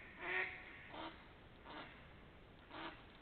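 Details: Duck quacking, late March to early April 2021: four separate nasal quacks, the first loudest, spaced about a second apart and fading, heard faintly with a muffled quality.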